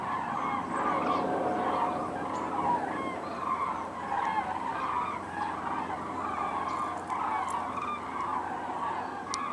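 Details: Large flock of common cranes calling on migration: overlapping bugling honks in a steady chorus. A few clearer, rising individual calls stand out, the intensity pulses every second or so, and a low hum is heard in the background.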